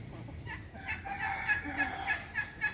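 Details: A peafowl at the HSTU zoo gives a run of short, nasal, honking notes, repeated about three times a second, over faint background murmur.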